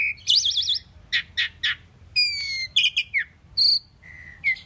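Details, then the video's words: Pied myna song mixing a wavering trilled whistle, several broad harsh chattering bursts, and descending pure whistles, delivered in separate loud phrases with brief pauses between them. "Common pied myna bird song /Indian maina sound /mynah singing / starling pied bird"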